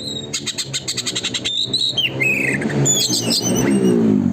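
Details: A kept Oriental magpie-robin (kacer) singing vigorously, used as a lure recording to provoke other birds to sing and fan their tails; a fast, buzzy rattle of about a dozen notes per second, then bright, falling whistles over a low engine-like rumble.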